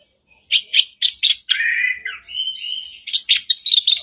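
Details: Black-browed reed warbler song meant to set off a caged bird: a few spaced chacking notes, a drawn-out buzzy churr, then quickening scratchy notes.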